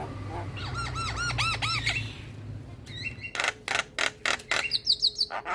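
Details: Javan myna tutor song for lazy mynas: a run of repeated arched whistled notes, then a sequence of harsh, evenly spaced squawks and a few high thin whistles, with low background hum.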